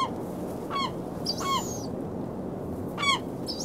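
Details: Gulls on a beach on February 27, 2016, at 19°F, give harsh, downward-slurred cries, several in quick succession, over a steady background rumble of surf.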